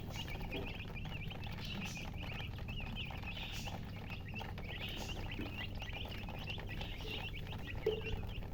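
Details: A group of newly hatched chicken chicks peeping loudly, with overlapping shrill chirps in a busy stream, a faint steady hum below and one louder tap near the end.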